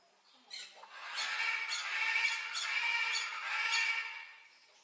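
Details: One long, loud, rasping squawk from a blue-naped parrot, pulsing rhythmically for about three seconds before fading.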